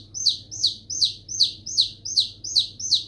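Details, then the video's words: Chicks utter evenly spaced, shrill downward-sweeping peeps, about eight in three seconds, with a soft hum beneath. "Baby Chicks Sound"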